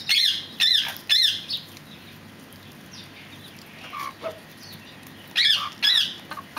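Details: Loud ringing calls from fireback pheasants: three harsh notes in quick succession, a pause filled with softer background bird twitters, then two more matching notes near the end.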